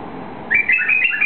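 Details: White-eared bulbul, a bird native to eastern Saudi Arabia, shown being released; a short burst of bright, liquid whistled notes around the upper-middle pitch, several quick phrases rising and falling over under a second, over steady low background hiss.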